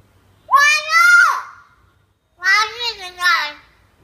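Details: Talking hill myna in training, producing a long human-like phrase followed after a pause by a three-syllable imitated word, steady and clear.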